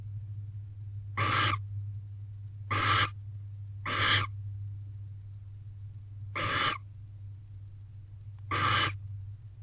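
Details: Male barn owl in a nest box giving gentle courting calls on a late-August morning: five breathy, hissing rasps about two seconds apart, over a steady low electrical hum.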